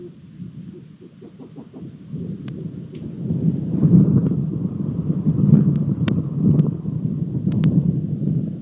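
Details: Rolling thunder rumbles low under steady rain, with a few sharp clicks and rustles scattered through the recording; no animal voice can be picked out.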